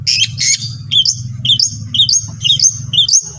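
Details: Long-tailed shrike recorded to get other shrikes singing: quick, looping whistled phrases that swoop up and down, repeated about twice per second over a low hum.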